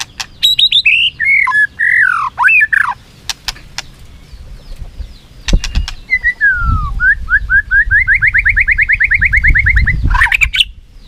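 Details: White-rumped shama in a singing contest, flicking its tail. Descending slurred whistles come first, then a long rapid series of short repeated notes that climb slightly before a final burst, over a low background rumble.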